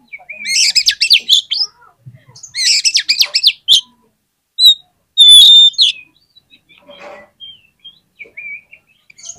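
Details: Oriental magpie-robin (kacer) song used as a lure to set other magpie-robins singing: two dense bursts of fast, varied, sweeping whistles and chattery notes, followed by sharp single whistles and sparse soft twitters.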